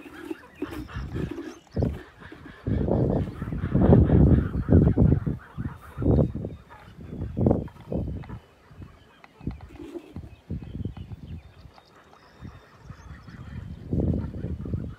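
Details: Kholmogory goslings on a farm, recorded 27 May 2020: rough, honking bursts with rich overtones come in quick, irregular runs, loudest in the middle stretch, over shuffling and thumping noises.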